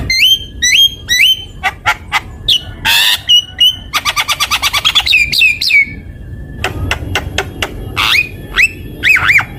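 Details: Vigorous Javan myna song for lure and tutoring: hooked whistled notes, sharp clicks, harsh broadband squawks, a fast ticking rattle around four seconds, then looping whistles over low background rumble.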